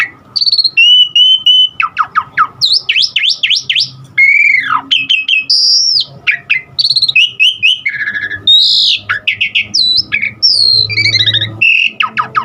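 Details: Asian pied starling in a long varied song of mimicked fill-in phrases used to spur other starlings to sing: rapid whistled slurs, a steady high tone, quick rising and falling notes and chattering trills, nearly nonstop.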